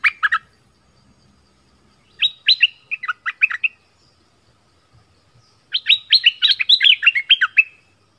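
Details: Orange-headed thrush song from southern Thailand, used to lure wild birds and to train young birds: three bursts of varied, rich whistled phrases with quick slurred and warbling notes, separated by pauses of about two seconds, with no other sounds.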